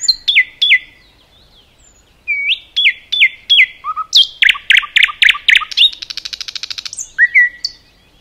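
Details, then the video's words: Forest-singing common nightingale: repeated upslurred notes, a burst of loud, rapid stuttering strokes, then a buzzy, dry rattle, ending in a few lone whistles. "Nightingale song"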